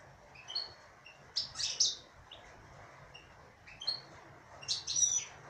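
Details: A female European goldfinch gives scattered bursts of high, tinkling twitters separated by short quiet gaps.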